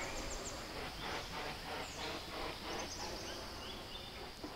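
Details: Great Hornbill flying over the Western Ghats at Nelliyampathy Hills, Kerala, India, recorded with a ZOOM H2n: soft, rhythmic whooshing wingbeats, about two or three per second, steady throughout, with faint high bird calls and a light natural background hiss.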